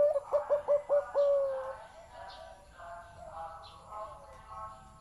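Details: Zebra dove with a big voice: a fast run of short staccato coos leads into one sustained flat note, then fainter cooing from neighbouring doves fills the remaining seconds.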